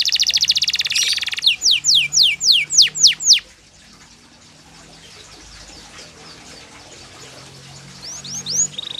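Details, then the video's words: Yellow canary begins with a loud buzzy trill, then a short run of upswept whistles, falls quiet for several seconds, and closes with a few soft rising notes and a brief flat tone. "CANARY YELLOW CANARIO FIGHTER"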